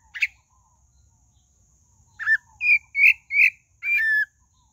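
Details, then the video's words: Song of the pale-breasted thrush: one brief sharp note, a pause, then a run of five bright whistled notes, the last held longer and falling. "Sabiá do Barranco: Um Conto Encantador"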